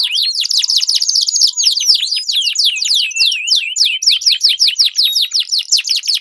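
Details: Two canaries in a singing duel, a recording used to train competition birds: a dense buzzy trill opens, then a long series of quick descending whistled notes repeated about twice a second.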